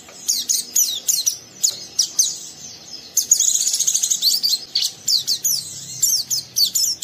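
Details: Rough ngeriwik chatter from a young oriental white-eye goading another bird to sing: clusters of piercing high chips repeated in quick bursts, with a brief sustained shimmering warble in the middle.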